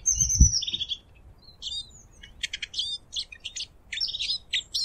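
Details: A Eurasian siskin opens with a drawn-out high thin wheeze, then pauses and runs into a stuttering chatter of buzzy high twitters, with a low thud at the start.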